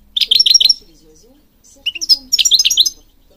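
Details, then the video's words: Goldfinch song used for bird training: a quick run of five or six bright, metallic twittering notes, a second-long pause, then a longer tumbling phrase of liquid chirps and buzzy trills. "Singing Goldfinch King goldfinch singing"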